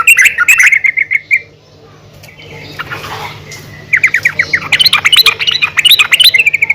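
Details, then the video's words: Female yellow-vented bulbul calling other bulbuls: a fast run of bright chirps, a quiet gap, then loud, excited chattering of rising, clipped notes in quick succession. "PANGGILAN BURUNG TRUCUKAN BETINA GACOR||MEMANGGIL TRUCUKAN LAIN AGAR RAJIN BUNYI"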